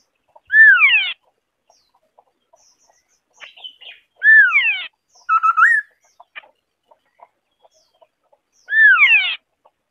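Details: Pomatorhinus schisticeps, the white-browed scimitar babbler, sings clear downward-sliding double whistles three times, separated by a soft chatter and a quick rising hooted note, in otherwise near-silent surroundings.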